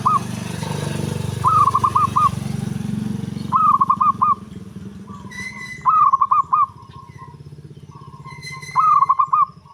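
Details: Bass-voiced local zebra dove used for luring, repeating its bubbling, trilled coo about every two to three seconds, each phrase a few rapid throaty pulses. An engine rumbles underneath, and a higher note sometimes rings alongside.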